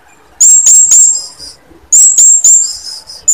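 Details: A female blue-crowned hanging parrot calls to draw males into singing. Two bursts of piercing, very high chirps, each of three quick sharp notes trailing into a thin sizzle, with a pause between them.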